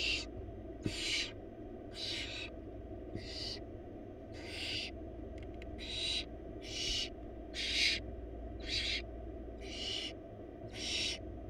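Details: Wild barn owl young, four chicks in a nest box, beg during a rabbit feed from their mother: a long regular series of about a dozen short raspy hisses, roughly one per second, above constant low background noise.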